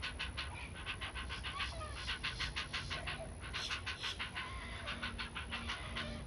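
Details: Great blue heron chick begging a parent for food, lunging up to grab the parent's neck or bill: rapid rhythmic raspy clacking pulses, about three per second, continuing without pause.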